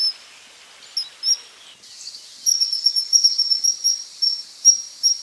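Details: Common kingfisher: a few spaced shrill whistles, then a fast, excited string of piercing high 'tsee' notes, about two or three per second, bright and insistent over quiet background.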